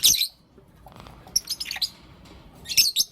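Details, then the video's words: In the morning, Blue Opaline and Lutino Opaline lovebirds give a loud shrill chirp burst, a quick run of smaller raspy notes midway, and another harsh burst at the end. "Lovebird Chirping Sounds and Call Sounds From Blue Opaline & Lutino Opaline"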